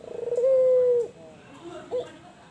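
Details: Cooing from a white albino dove: a fast pulsing roll leads into one long even low note, then a quieter pause and a single short hoot.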